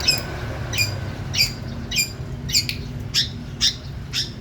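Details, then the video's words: A vigorously calling female long-tailed shrike, East Java, utters loud grating chips with a thin whistled edge, spaced about 0.6 seconds apart, seven or eight in sequence, over faint low hum. "pentet betina gacor"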